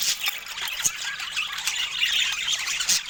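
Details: Budgies sharing fruit produce a brief run of thin squeals and chirps over a dense, buzzy chattering background.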